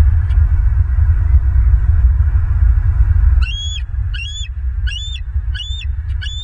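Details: Bald eagle at its nest in Southwest Florida, 28 May 2023 around 07:50, gives a series of five high, thin chittering notes at a steady rate in the second half, over a strong low rumble of wind or camera noise.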